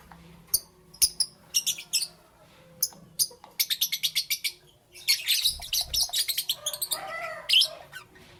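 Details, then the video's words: Lovebirds in the morning giving bursts of sharp, high chirps, some single and some in rapid runs of six to eight, with a few lower squawky notes near the end. "Lovebirds Chirping Sounds"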